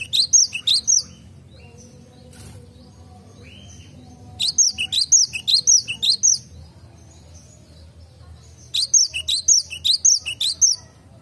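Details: Cinereous tit singing in a garden: three bursts of high, sharp whistled phrases, each bout a quick series of two- and three-note motifs repeated about twice a second, with pauses between bouts and faint low background hum.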